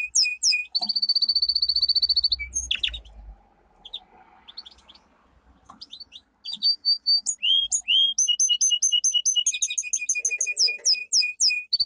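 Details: Domestic canary, a pet songbird, singing a powerful training song: bright high chirps, then a long steady trill, a short pause, and a burst of rapid sweeping notes and quick repeated trills.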